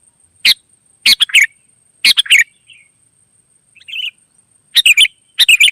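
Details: Wild sooty-headed bulbul answering other birds with quick clusters of bright chirpy notes in bursts of two or three, plus a couple of softer, quieter calls between phrases and a thin constant high tone.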